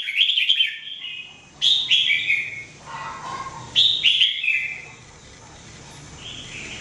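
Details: Singing red-whiskered bulbul, or jambul, used for training: quick rippling whistles, then repeated bright slurred phrases with a lower mellow note between, fading to soft warbling.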